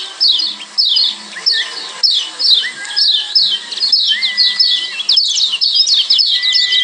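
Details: Lombok yellow white-eye, a kecial kuning song combination: dense series of bright descending chirps, several each second, interspersed with drawn-out steady whistled notes and quick upward slurs.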